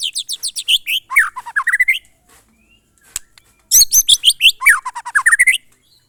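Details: Murai batu, the white-rumped shama, in glondong or monotone style: fast repeated high descending notes sliding into lower slurred whistles, two phrases split by a pause with a single click.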